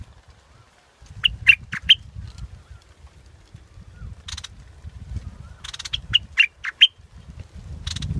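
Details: Scarlet-backed flowerpecker giving quick runs of sharp chips, interspersed with rasping buzzy bursts, over a steady low rumble of background noise.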